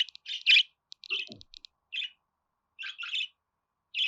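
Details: Budgerigar warbling in short groups: clicking ticks and bright chirps, spaced by quiet gaps, with a falling scratchy note early on.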